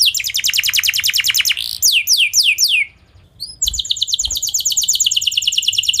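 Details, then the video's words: Canary song for enticing other canaries to sing back: a fast high trill, slower swooping notes, a short pause, then rapid trilling again. "Kenari Kondisi Apapun Pasti Nyaut! Ampuh Buat Memancing Kenari Lain, Langsung Gacor"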